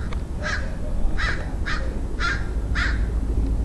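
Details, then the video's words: Crow recorded in San Diego, California, USA, on 27 February 2009, giving five harsh caws spaced roughly every half second to second, over steady low background rumble. "Crow crowing"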